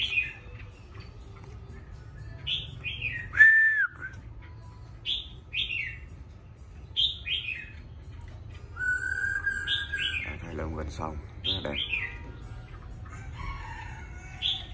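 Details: Chinese hwamei, a captive female nearly through her moult, gives short, clear, down-slurred whistled notes repeated every second or two; said to answer and sing back well when lured by another bird.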